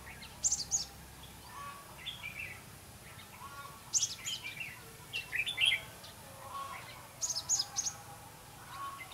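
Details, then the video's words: Red-whiskered bulbul decoy in song during trapping, 5 November 2016. Bright, rapid, chattering warbled phrases repeat roughly every two seconds, some loud and some softer. "Bẫy chào mào đá lân"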